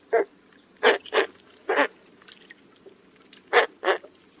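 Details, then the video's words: Harsh, croaking grunts from a roseate spoonbill, each brief and throaty, delivered singly or in close pairs with gaps of about half a second to a second and a half. "Roseate spoonbill call"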